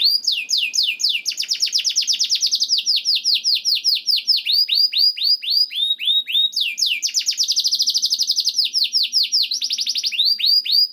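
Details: Canary masteran recording meant to make canaries sing: an unbroken stream of rolling trills made of rapid downswept notes, shifting pace in places.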